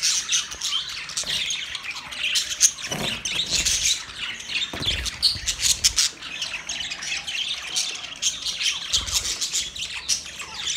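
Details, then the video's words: Mating budgerigars produce busy, high-pitched chattering and squawky warbles, many overlapping notes in a steady stream, with a few low thumps underneath. "Parrot mating sound"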